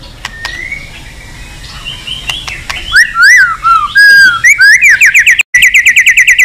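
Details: White-rumped shama song for stimulating shamas to sing: quiet whistles at first, then loud looping whistled phrases building into a brisk run of repeated sharp notes, about seven per second.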